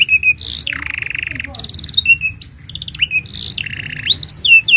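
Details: Vigorous canary song offered as a master for young canaries and silent birds: harsh buzzy rolls alternating with short whistles and a descending slur, then quick rising notes; continuous faint high-pitched hum.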